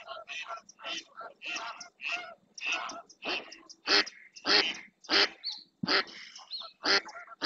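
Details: Ducks on the Doñana National Park marsh in Spain, where a female mallard calls insistently and another female and two males approach: dense, overlapping harsh quacks and chattering notes in quick succession, several louder calls standing out.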